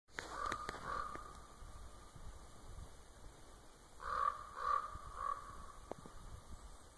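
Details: Common raven in Winlock, Washington, 10 March 2017, possibly responding to clicking: a short run of hollow croaks, then after a pause three more evenly spaced croaks.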